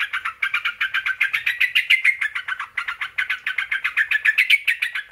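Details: Sooty-headed bulbul song used as a lure to provoke other bulbuls into answering: rapid, chattering chirps repeated about three to four times per second in an unbroken run, clear and close, with no other sounds.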